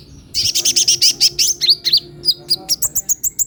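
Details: Purple-throated sunbird giving a lively, very high-pitched song: a quick trill of sharp, buzzy notes, then a steady string of separate thin chirps repeated about five times a second.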